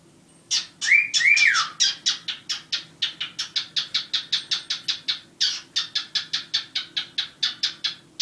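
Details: Two pet cockatiels, one black and one white, chatter at night: two rising whistled notes, then a rapid run of harsh, scratchy, high chirps about twice a second.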